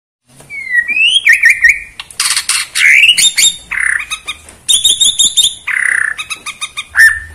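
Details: Bornean white-rumped shama performing in bowing style, singing to outdo a rival: a fast, varied medley of whistled slurs, rising sweeps, harsh buzzy bursts and rapid trills in quick succession, loud and close.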